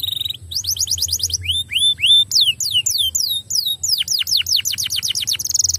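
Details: Canary song used to encourage other canaries to sing, made of rapid tours of repeated notes: quick descending sweeps, rising arched whistles in threes, then long fast runs of steep downward slurs ending in a buzzy trill.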